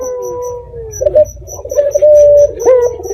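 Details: Red-eyed dove, local bird, recorded at night as a lure so other doves answer: a soft falling coo, then a louder burry sustained note with a short upward flick, faint insect pulses behind.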